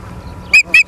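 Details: Osprey on a live nature cam at Charlo, Montana, 30 August 2023: two sharp, high whistled chirps a quarter second apart over faint low hum.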